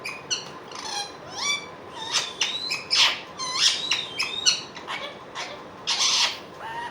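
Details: An Indian ringneck (rose-ringed parakeet) talks in high, nasal, speech-like phrases broken by sliding whistles and sharp clicks, several short bursts every second or so.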